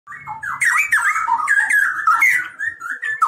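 A canary sings a fast, unbroken warble of rolling trills and bright whistled notes, with sharp rasping bursts, carrying on for over three seconds.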